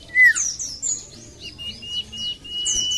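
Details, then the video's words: Common iora, lure recording: a loud falling whistle, then a series of high descending sweeps and short rising-falling whistles leading into a steady level note. "PANCINGAN BURUNG SIRTU / CIPOH MALAS BUNYI"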